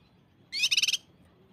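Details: Cucak kinoi on a recording made to coax birds into song, 'tembakan rapat' variation: a single brief burst of fast, pulsing, high trilled notes rising in pitch, loud against near silence.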